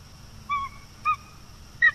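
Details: A bald eagle at its nest on the northeast coast of Florida, at night in October 2022, gives three short, clear whistled notes about half a second apart. The last is higher and sharper, over a quiet background hum.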